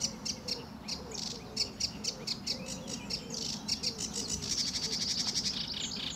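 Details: At RSPB Fowlmere on a sunny early July 2013 morning, a sedge warbler sings vigorously: scratchy high notes repeated at an irregular pace, building into a dense, fast trill near the end, with faint low whistles behind.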